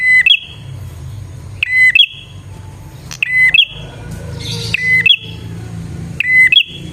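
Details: Bar-winged prinia singing, used to lure wild prinias: a short bright phrase with a steady whistle and a sharp rising flick, repeated about every one and a half seconds, over a low steady hum.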